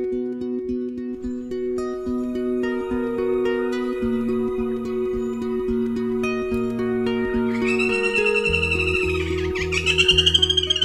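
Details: Steady plucked-string music with layered melodic notes throughout; no animal sound is heard.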